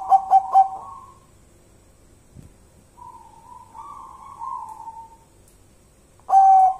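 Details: Local wild zebra dove with a spooky call: three quick soft notes and a trailing coo, then a quiet stretch of faint wavering tones, ending with another loud sustained whistled note.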